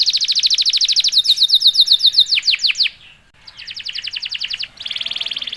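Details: Canary song meant to provoke other canaries into singing: rapid high trill, a run of descending sweeps, a short pause, then fresh buzzy rattling trills.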